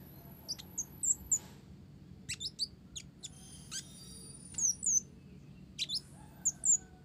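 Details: Olive-backed sunbird singing a song laced with mimicked Java sparrow notes: scattered thin, very high chirps and short rising sweeps, some sharp ticks in quick clusters, over a low steady background hum.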